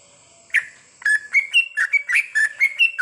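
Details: Sooty-headed bulbul singing at night, used as training song for long goklik phrases: after a half-second pause, a run of bright, bubbly whistled notes that step up and down in quick succession, about nine notes in two and a half seconds.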